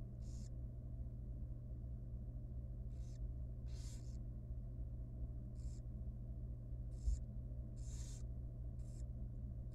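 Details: Wild barn owl chick, super tiny and young, in a monitored nest box at feeding time: about nine breathy, rasping hisses spaced irregularly, with a faint thump and constant low hum behind.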